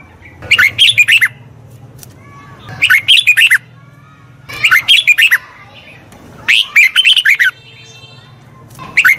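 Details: Red-whiskered bulbul singing as a voice-training model for a wild-caught bird. Four lively phrases of quick, bubbling whistled notes come roughly every two seconds over a low steady hum.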